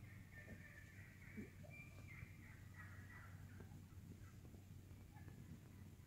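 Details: Vocal flock of wild turkeys feeding through woodland; a run of rapid, sharp cutting notes opens the recording, followed by sparse softer clucks and purrs against a steady low rumble.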